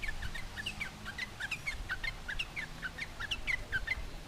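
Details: Sooty-headed bulbul in full song, taunting a rival so other bulbuls reply; quick bright chirps, each briefly rising then falling, tumbling along in a steady chattering stream.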